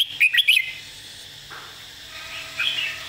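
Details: Red-whiskered bulbul tutor song for training birds. A fast, loud opening phrase of about four bright whistled notes, followed by a quiet pause and a faint trailing warble.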